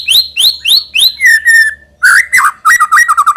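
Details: White-rumped shama singing to prompt young birds to sing: four rising whistled notes, a long even whistle, then jumbled, warbling, fluty notes dipping and rising. A faint low hum in the background.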